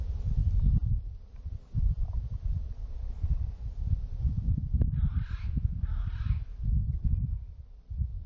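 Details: In the early morning, a California scrub jay calls out, giving two harsh, raspy calls about a second apart over a steady low rumble of wind.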